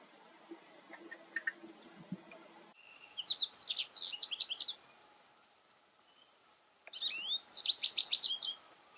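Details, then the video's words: American goldfinch in breeding plumage sings two bursts of rapid, high, twittering and warbled notes, each about two seconds long, with a few faint chirps before the first burst. "Chardonneret jaune, chant / American Goldfinch, song"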